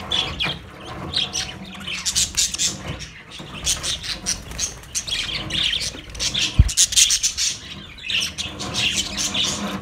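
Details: Caged budgies with continuous scratchy squawks and chirps over a steady low background rumble, plus one sharp knock partway through.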